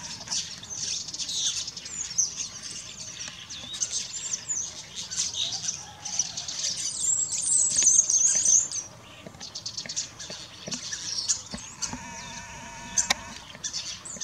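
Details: A flock of common starlings at Espinhel, Águeda, Portugal, on 26 January 2019, feeding on seasonal food and squabbling, keeps up a dense, continuous chatter of high, scratchy chirps and whistles.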